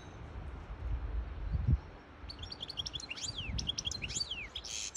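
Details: Hybrid European goldfinch singing to tutor young birds and excite a female for mating; high twittering phrases and quick downward slurs begin after a quiet start, over low rumbling background noise and thumps.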